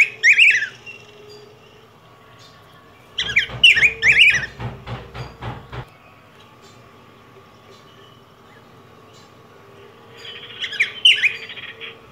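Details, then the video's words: Yellow grosbeak warbled phrases at the start, middle and end, the middle one overlaid by a run of loud rhythmic clicking knocks lasting a few seconds; a faint steady hum throughout. "Canto Del Pico Grueso Amarillo."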